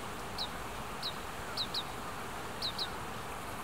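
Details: In Hiratsuka, Kanagawa, Japan, recently fledged Oriental greenfinches beg food from parents. Six thin, high, downward-slurred calls sound, some as close doublets, over a soft wind rush.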